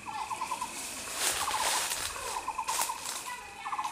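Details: Taiwan blue magpie met by chance on the Cuihu hiking trail in Xizhi, Taiwan, giving bursts of rapid, harsh chattering notes, each run about half a second long and repeated four times, over a steady background hiss.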